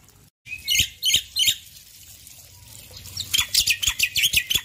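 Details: Male Black-winged Myna in full morning voice, three loud separate chirps followed by a soft hissing pause and then a quickening volley of sharp, high notes.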